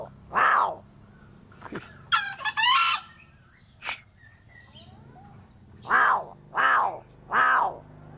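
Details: Crow making strange sounds: loud, hoarse, harsh calls, one rattling and broken, then three evenly spaced raspy calls about one second apart near the end, with a short click between.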